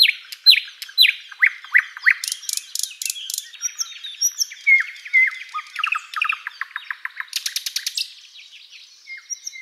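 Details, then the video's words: In a spring forest at sunrise, a thrush nightingale pours out rich song: fast repeated chip notes, sharp rattles, buzzy broadband bursts, brief whistles and rolling trills, changing phrase every second or two. "Bird sounds Nightingale chirping and singing"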